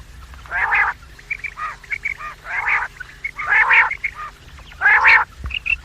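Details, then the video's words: Quail calling in the morning and evening, a lure recording for trapping quails: harsh, buzzy bursts about half a second long, roughly one a second, with short high clipped notes between them. "The best sound of quails in the morning and evening , bater ki awaaz,batair ki awaz,Bedananing ovozi"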